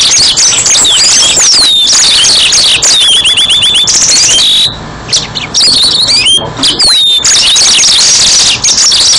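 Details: Yellow-fronted canary song as a trapping lure: long, continuous, varied high warbling mixing rapid twitters, looping whistled slurs and trills, with one brief drop in intensity midway, over constant background hiss.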